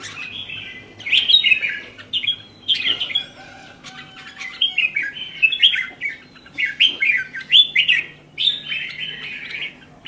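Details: Kept red-whiskered bulbul delivers a lively run of repeated warbling phrases, rising and falling whistles in quick succession with brief pauses, loud and clear over soft low background noise.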